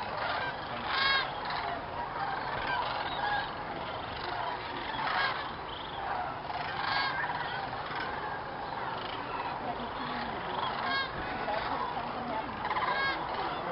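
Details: Sandhill cranes by the thousands massing at dusk at a Jasper-Pulaski preserve in Indiana before going to roost; steady chorus of trilling, rattling calls from many birds, louder peaks rising out of the din.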